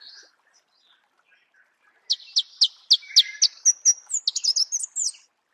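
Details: Marico sunbird in natural habitat: after a brief high note and a pause, a loud run of sharp, ringing chips quickens into a dense, high, warbling twitter.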